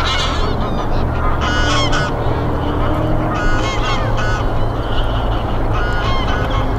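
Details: A wintering flock of geese on snowy fields by the Kromme Rijn, Netherlands, in December, honking in overlapping bursts, with harsh nasal calls every second or so over steady low rumbling background noise.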